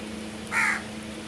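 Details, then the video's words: Single brief, hoarse caw from a crow, rough and mid-pitched, against a constant low background hum. "Crows Sounds"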